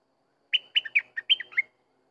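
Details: Single song phrase from a sooty-headed bulbul, about a second long. It has seven mellow, whistled notes that alternate higher and lower and end on a slurred falling note. The background is silent.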